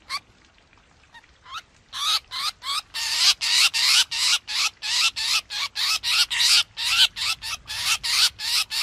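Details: Black drongo calls used as a trapping lure, 2021 recording: soft scattered notes at first, then loud harsh rasping bursts about three per second, some with faint rising tonal streaks.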